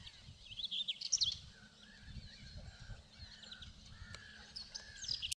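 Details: A singing male common whitethroat in southern Poland on 27 May 2016 gives two short, scratchy, chattering warbles, one early and one near the end, over softer lower whistled notes from other birds.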